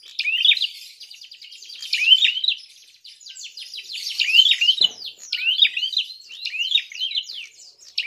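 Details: Prinia fighting call meant to provoke rivals: a fast dry rattling buzz runs beneath loud, repeated zigzag chirps delivered in steady bursts throughout.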